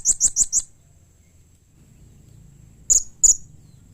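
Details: Blue-crowned hanging parrot calls, a call said to prompt other hanging parrots to answer: four very high, sharp chips in quick succession, a pause, then two more spaced chips, over a faint low hum.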